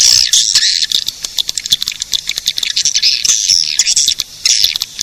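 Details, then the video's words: Edible-nest swiftlet attraction call: fast, clicking high chirps in uneven bursts, with a brief gap before the dense chattering resumes. "Suara pemanggil burung walet"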